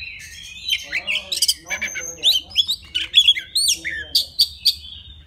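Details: Wild white-rumped shama singing to call a female: loud, rich run of whistled notes, rising and falling slurs and sharp upswept phrases in quick varied sequence, with brief pauses between bursts.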